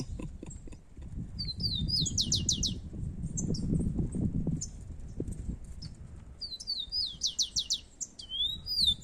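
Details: Rufous-collared sparrows, two birds singing against each other in the open. Short whistles lead into a fast trill of sharp downslurred notes, repeated about five seconds later, over low rustling and thudding noise.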